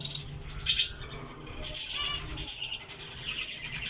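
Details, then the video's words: Java sparrow calling with quick, thin, high tweets in small clusters, about four bursts in four seconds, against a soft low hum. "java sparrow"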